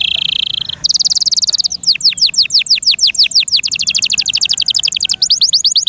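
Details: Caged domestic canary singing: a steady buzzy high note, then a fast run of sharply falling whistled notes, about three per second, ending in rapid rolling trills.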